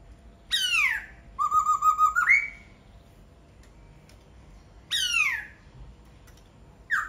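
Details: Laughingthrush song: a loud falling whistled note, a fast rattling trill of repeated whistles ending in an upslurred note, then more falling whistles separated by quiet gaps.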